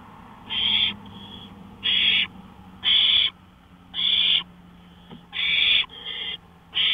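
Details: Owl recorded on a porch at 1:53 AM, May 5, 2013, repeating harsh, noisy screech-hisses about once a second, some followed by a softer hiss, over a faint steady low hum.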